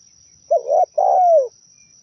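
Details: Single zebra dove phrase from a trapping lure recording: a short wavering coo, then a longer vibrating note that slides smoothly downward, clean background with a faint constant high tone.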